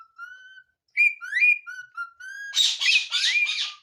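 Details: Pet parrot, a talking mithu, whistling short level and rising notes, then breaking into a run of harsh raspy squawks with a rising whistle woven through.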